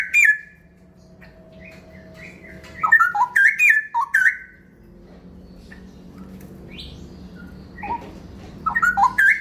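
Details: Cucak rawa, the straw-headed bulbul, in ropel song: short fluty phrases of bubbling, up-and-down whistles, with a long pause in the middle, a few sharp clicks and a low hum in the background.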